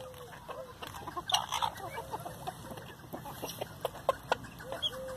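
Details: Chickens in a feeding frenzy over leftover hamburger buns; brief clucks and short whistled calls over a steady patter of sharp pecking clicks.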